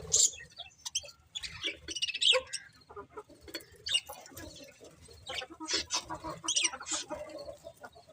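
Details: Pet budgies chattering: a busy mix of short high squeaks, clicks and scratchy chirps, uneven in loudness and spread through the whole stretch.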